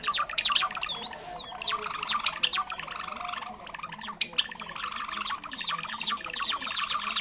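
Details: Java sparrow call used as a trapping lure: a single high, arching whistled note early, followed by rapid dry clicking chips and scattered sharp ticks.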